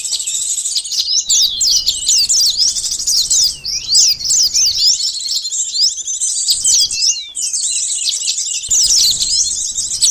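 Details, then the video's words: Sunbird song played as a lure for catching birds, Indonesia: a continuous, shrill, high-pitched jumble of fast chirps and swept twitters, broken by short gaps near seven and eight and a half seconds before resuming. "suara pikat burung konin sogon korlap kolibri madu || pancingan suara burung madu"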